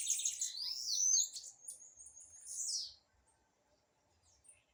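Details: Blue-black grassquit singing during a dispute: about three seconds of high, fast chattering notes with a long upward slurred whistle, then silence.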